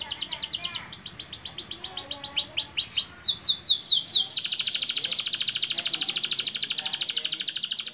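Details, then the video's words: Newly broken-voiced young canary moves through several phrases: spaced chirps, a swooping sequence of falling notes, then a long fast buzzy trill of tightly packed high notes. "KENARI MUDA BARU PECAH SUARA UDAH ISIAN MANTAP"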